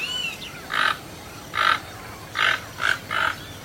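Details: Toucan making five coarse croaks, the last three in quicker succession, after a faint whistled note at the start.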